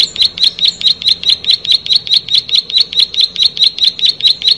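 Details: Plain prinia singing actively: a fast, steady series of sharp, buzzy, high-pitched notes repeated about four to five times per second for the whole stretch, with no other clear sounds.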